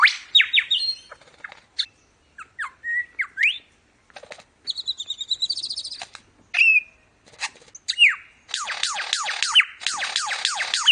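A lyrebird pours out a varied string of sharp whistles, rapid trills, downslurred notes and a run of cascading repeated chirps, bright and high-pitched throughout.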